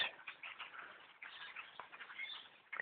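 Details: Thousands upon thousands of blackbirds in two trees beside a bow hunter's stand, continuous overlapping chatter while a man speaks before and after.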